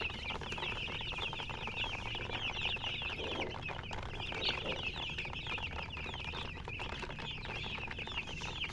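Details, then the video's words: Many coloured chickens with a murgi hen keep up nonstop high chirping, countless quick upward-sweeping peeps layered into a busy chatter, with faint low hum underneath throughout. "silly chicken chirping sounds"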